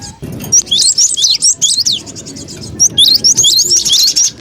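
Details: Cinereous tit lure sound used for trapping birds, noisy and busy: rapid bursts of high, sharply sweeping chirps and twitters, packed into dense runs of about a second, over a faint low rumble.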